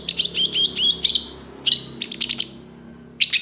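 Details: Long-tailed shrike, mimicking other species: fast bright chirp series, then a short run of crisp repeated notes and a final pair of chirps.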